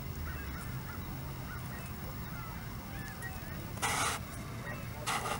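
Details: Canada geese at Hawreluk Park Lake give scattered, faint nasal honks over a steady low rumble of wind or traffic, broken by two brief bursts of hissing noise.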